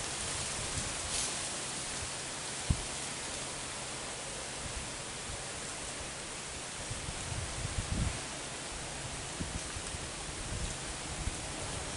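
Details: Steady broadband hiss like rain or rushing water, with a few soft knocks and rustles and no animal call.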